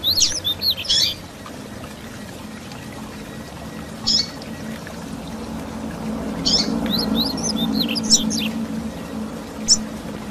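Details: Grego-style song of a Double-collared seedeater, used for teaching young birds and stimulating them: quick bursts of high, slurred and bouncing whistles separated by gaps of a few seconds, with a low background hum throughout.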